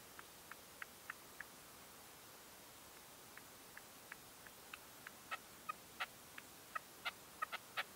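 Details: Faint, thin notes from a red-legged partridge decoy at dawn, 2023, gradually strengthen into a quicker, louder run of sharp calls toward the end.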